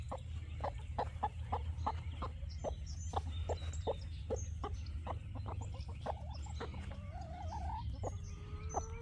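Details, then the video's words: A hen strays from next door and keeps up a run of short clucks while being followed, then a wavering trilled note; a low steady hum underneath and faint whistling birds in the background. "The chicken keeps talking"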